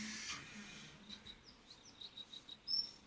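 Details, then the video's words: Birds at morning in a village near Abbottabad: a soft string of short, high chirps and thin whistled notes, repeated about every quarter second, ending with a brief louder whistle. "sounds of birds"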